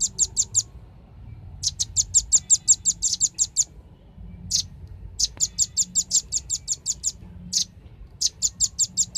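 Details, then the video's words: Velvet-fronted nuthatch lure recording in the lively 'ribut' style: repeated bursts of rapid, very high chit notes, each burst of about six to twelve notes separated by short silences, with faint low hum underneath. "suara pikat burung rambatan ribut suara jernih"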